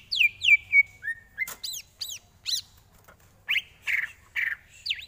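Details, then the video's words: Training song of a greater green leafbird: three descending whistled slurs, a low slurred note, a burst of high sweeping notes, then four harsher buzzy notes evenly spaced and a final rising whistle. "Lagunya Masuk ini Bos, Enak buat masteran"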